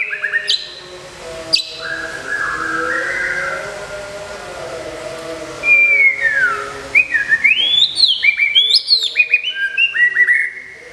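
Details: White-rumped shama, a caged contest winner kept in Kebumen, sings during moult care: soft warbling notes early on, then a long descending whistle followed by rapid bright chirping phrases.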